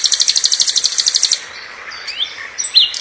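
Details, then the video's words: Nightingale song, used as a tutor recording for training magpie-robins: a fast, high, buzzy trill of about fourteen even notes in just over a second, then a few thin rising whistles. "Singing bird ||Nightingale bird"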